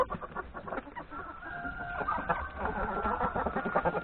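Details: Chickens, hens and roosters in a yard at breakfast before going to the forest to graze; overlapping clucks and chatter from the flock, with a long drawn note running through the middle.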